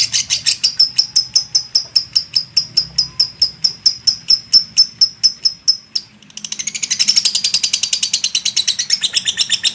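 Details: Lovebird giving a ngekek long chatter: a fast run of sharp, high chirping notes at about four per second for six seconds, a brief pause, then a denser, buzzier burst of chattering.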